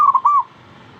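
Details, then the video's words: Zebra dove, known locally as perkutut, giving a quick run of three clear, slightly warbling notes, then quiet background. "Yatim pintar ngajak perkutut lain ikutan bunyi"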